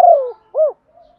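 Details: Fragment of decoy spotted dove cooing in 'giọng thổ' style: the tail of a falling husky trill, then one short arched coo and a faint trailing note.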